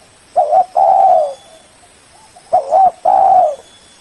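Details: Two phrases from a spotted dove lure call meant to call a rival, each a short wavering coo and then a longer, steady, slightly falling coo, low-pitched and loud.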